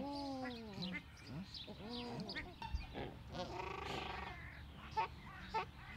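Australian shelduck giving a run of nasal, honking calls, each note rising then falling, several overlapping in quick succession as if from more than one bird.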